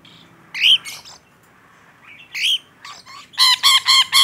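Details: Rainbow lorikeet, kept bird described as in full voice, uttering sharp rising screeches, then a fast run of four loud harsh shrieks at about four per second.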